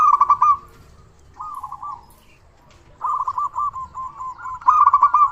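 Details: Local zebra dove with a large voice, a lure meant to make other doves sing sooner: short bursts of rapid stuttered cooing, a brief pause, then a longer run of rolling coo notes.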